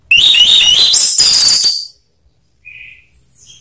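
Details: Lure song of an orange-headed thrush, meant to push reluctant caged birds into ngakrak and ngeplong singing: one long, dense burst of scratchy, buzzy notes with high whistles, then near silence with a brief faint note.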